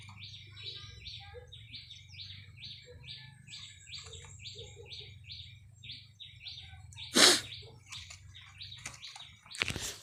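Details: Red-whiskered bulbul, a caged decoy bird, recorded 30 April 2025, sings a rapid series of repeated chirpy notes, broken by a sharp loud burst near the end, over a faint low hum.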